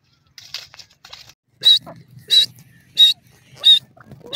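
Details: White partridge (dakni teetar) giving loud, sharp, high-pitched calls repeated at a steady pace, about every two-thirds of a second, after a few softer, scratchier notes at the start.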